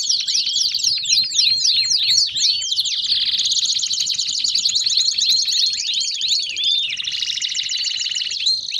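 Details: Canary baderna, a noisy group chorus of canaries used to stir other birds to sing: rapid downward-sweeping chirps crowd together, then merge into buzzy sustained trills and rolling high notes for nearly nine seconds.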